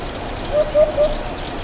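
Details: Eurasian hoopoe calling from a tree in Menorca in May 2025 gives its soft, hollow 'oop-oop-oop': three low, even hoots in quick succession over a steady background hiss, volume amplified.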